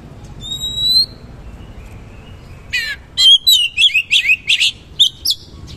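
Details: Oriental magpie-robin singing its rough, rich-fill song. It opens with one long pure whistle, falls quiet, then breaks into a rapid string of repeated buzzy chirps and sharp notes.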